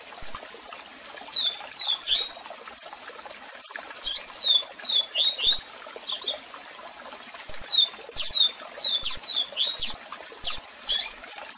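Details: Strong, varied Double-collared seedeater song with calls, used to train singing; dense runs of high slurred whistles and sharp chips in rapid phrases over a background of cascading water.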